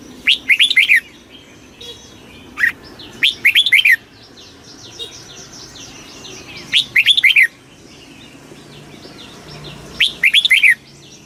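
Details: Red-whiskered bulbul singing its very fast 'kích bổi' song, four quick bursts of bouncing, slurred whistles spaced a few seconds apart, with busy soft chirping from other birds throughout.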